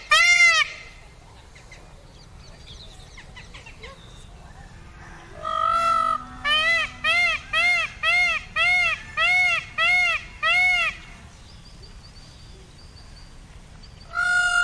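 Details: Indian peafowl giving loud, nasal, harmonic-rich calls: one at the start, a fast run of about eight arched wailing notes evenly spaced near the middle, and another loud call at the end, with quiet gaps between.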